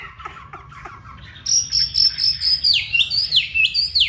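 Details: Home-kept Chinese hwamei in Hanoi, Vietnam: a few faint short notes, then loud, ringing high whistled phrases with rapid dipping slurs repeated in quick succession.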